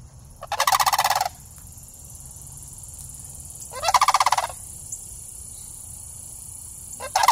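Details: Juvenile sandhill cranes, a pair living in a city all year and tame around people, come over to greet someone, filmed on an iPhone. Rolling pulsed rattles repeat roughly every three seconds, the last one cut off.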